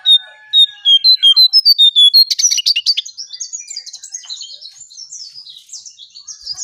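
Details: Striped tit-babbler lure song opening with about eight clean, high whistled notes in quick, even succession, then breaking into a dense, rapid chatter of scratchy, twittering notes that runs to the end.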